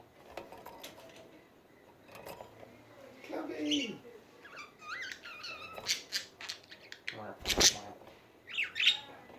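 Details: Pet budgerigars chattering indoors: quiet scratchy clicks and murmurs at first, then louder warbled chirps, squeaky rising and falling notes and sharp ticks come in quick irregular bursts through the second half.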